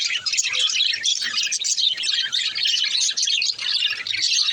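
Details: Budgerigar flock during breeding, chattering nonstop: bright high chirps, warbles and squeaky trills overlap densely with no clear gaps.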